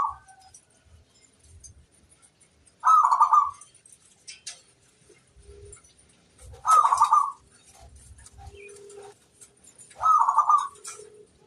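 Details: Zebra dove, a local bird singing persistently as a master song: three rolling, stuttering coo phrases spaced about four seconds apart over faint low background rumble.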